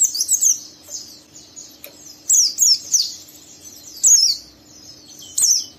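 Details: Oriental white-eye twittering roughly ('ngeriwik'), a young bird drawing an untrained companion into song; clusters of high, falling squeaky notes at irregular intervals separated by quiet gaps.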